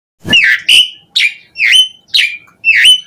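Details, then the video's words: Asian pied starling singing, a recording meant to lure other starlings into song: six loud whistled notes, most sliding down then flattening, spaced roughly half a second apart. "Suara Jalak Suren Gacor buat Pancingan Burung Jalak"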